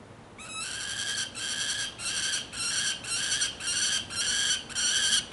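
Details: A peregrine falcon perched in a tree gives harsh, ringing screeches in a steady series, about two per second, possibly reacting to the photographer's presence.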